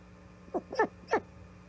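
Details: Osprey calling at its nest at Charlo on 5 September 2021: three abrupt, upward-sweeping chirps with bright harmonics, closely spaced, against a constant low-pitched background hum.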